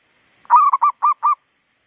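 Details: Garden decoy zebra dove resuming its song after wild monkeys had disturbed it: one short phrase of four or five rounded, staccato cooing notes at a steady low pitch.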